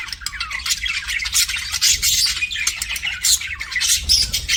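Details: Several pet budgerigars keep up a busy stream of chirps, squawks and warbling chatter, high-pitched and overlapping without a break.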